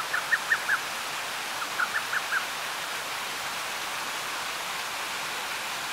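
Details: A lesser cuckoo calling in Toki, Gifu Prefecture, Japan, gives two quick phrases of four sharp, whistled notes, one right after the other, over a steady rush like flowing water or rain.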